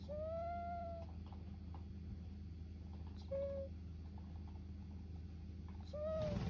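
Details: Domestic duck snoring while asleep, giving a longer squeaky, slightly rising note and then two shorter nasal squeaks spaced about three seconds apart, against a constant low-pitched hum.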